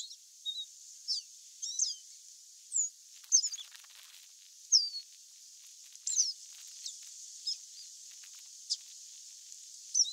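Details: Wild free-living chestnut seedeater (Sporophila cinnamomea) sings high, thin whistled and slurred notes, some rising, some falling, in scattered bursts over a steady high hiss.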